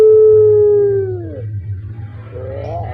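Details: Ringed captive puter pelung, a Barbary dove kept by Indonesian bird fanciers: the tail of a sustained hoot that bends downward and fades, then quiet gurgling notes rising at the end, with a constant low hum.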